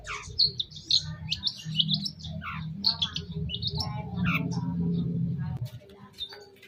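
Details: Long-tailed shrike chattering lure song played to provoke an answer: rapid jumbled high chirps and downslurs in a dense stream, then sparser notes, over a steady low rumble.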